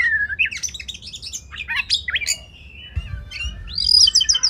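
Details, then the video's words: Kacer (Oriental magpie-robin) song recorded as a masteran for contest birds: swooping whistles and squeaky chirps, a quieter pause in the middle, then high thin repeated trilled notes at the end. "Masteran Kacer Spesial untuk Burung Lomba"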